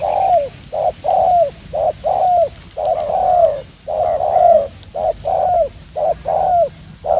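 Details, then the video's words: Wild-caught spotted dove used as a lure, cooing at speed: a steady string of short, low coos at roughly one per second. Longer notes bend downward at the end, with quiet gaps between them. "Gác Cu Gáy . Bổi Đẹp Trai Có Nước Gù Tốc Độ."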